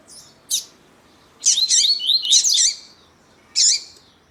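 Double-collared seedeater: a brief sharp note, then a long, high, rapid twittering and warbling phrase, and another short burst, against a quiet background.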